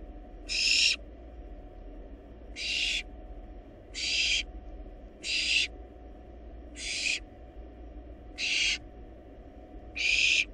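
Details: Nestling barn owls, wild and filmed in a research nest box while eating a big rabbit, give seven harsh hissing bursts, evenly loud, about one every one and a half seconds, over a low constant drone.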